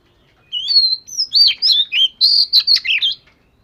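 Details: Fish-scale Oriental magpie-robin song used for daily voice training: a clear whistled opening, then a quick run of about eight loud, varied notes mixing sweet slurs and sharp rising and falling whistles.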